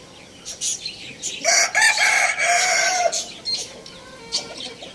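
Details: A rooster gives a single loud crow of about one and a half seconds, hoarse and harmonic, rising at the start and trailing off. Before and after it, small birds keep up rapid high-pitched chirps.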